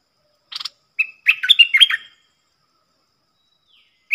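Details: Wild bulbul in southern Thailand, singing back at a caged lure bird; it answers well with a big voice but keeps away from the cage. A short buzzy burst, then a quick run of chattering whistled notes, then silence.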